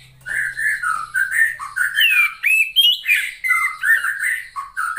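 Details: Female Oriental magpie-robin, a cage bird used to prompt silent males to sing, delivering a continuous run of varied whistled phrases, some slurred and some looping, with a faint low hum early on.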